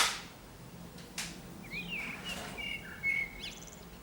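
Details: Blackbird perched on an antenna in Zamudio's San Martín town centre, Bizkaia, on 18 April 2019, giving soft warbled phrases with a high squeaky flourish, broken by a few sharp clicks and bumps.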